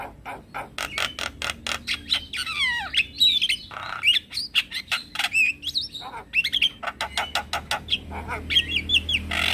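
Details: Male Javan myna lure call intended to draw replies from other mynas and starlings: a run of dry rhythmic clicks, then descending whistled slurs, twisting notes and grating squawks in a fast, varied stream.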